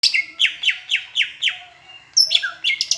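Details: Greater green leafbird tutor song mixing in Asian brown flycatcher imitation, from Palembang: a run of descending slurred chirps about every quarter second, then high whistled notes and quick twitters.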